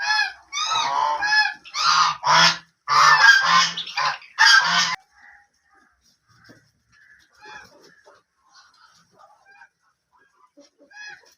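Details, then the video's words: White and black ducks give a rapid run of loud, rasping, nasal quacks for about five seconds, then only faint, scattered soft calls in a quiet background. "white and black ducks original sounds"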